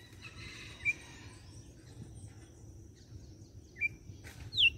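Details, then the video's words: Red-cowled cardinal from Fortaleza, Ceará, giving its whip song of a few short, sharp whistled notes spaced a few seconds apart, ending on a brighter, higher finishing note, over a low background rumble. "Galo de campina - CANTO DE AÇOITE"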